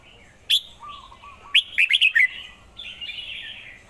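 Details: Red-whiskered bulbul song of bright chirped notes: one sharp note, then a rapid run of five lively, bubbling chirps and a trailing warble over faint lower whistled pips.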